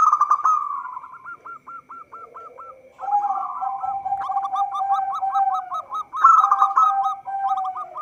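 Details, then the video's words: Local zebra doves singing actively, a recording meant to lure birds for trapping: overlapping series of rapid hooked coos from more than one bird, with loud rolling bursts at the start and near the end. "Perkutut lokal gacor suara cocok untuk pancingan"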